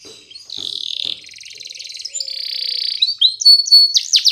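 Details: Belgian canary song used to train young canaries: a short run of buzzy rolled trills and a sustained rattling phrase, ending in a few sharp high whistled notes; brief soft clicks at the start.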